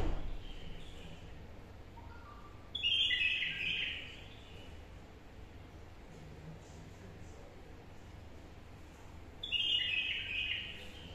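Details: A captive, wild-caught bulbul, filmed singing, gives two short bursts of bright, warbled phrases about seven seconds apart, over a steady low background hum.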